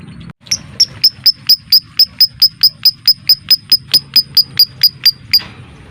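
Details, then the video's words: Lovebird 'ngetik' song, a close, neat typing-like ticking meant to trigger other lovebirds to sing and mate: about twenty sharp, high, clicky notes in a fast, even train that ends with a short burst. "MASTERAN LOVEBIRD suara Ngetik ll Ngekek Rapat ll Rapi"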